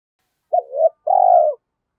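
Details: A single coo phrase from a stimulated decoy spotted dove of the giọng thổ voice type: a sharp short note, a rising slur, then a sustained, slightly falling croo lasting half a second.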